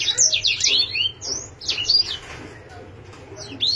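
A canary sings a fast, high, varied song of sweeping whistles and quick chirps, in bursts with brief pauses; a faint low hum sits underneath.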